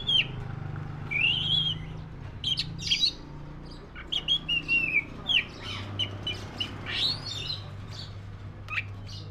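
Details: Oriental magpie-robin, black-breasted type, giving arched whistles, sharp chips and slurred phrases spaced through the passage, against a constant low mechanical hum.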